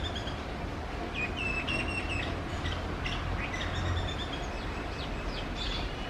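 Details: Female house sparrow calling: a few short chirps and a thin level whistle, followed by scattered quick downslurred chirps over steady low rumbling background noise.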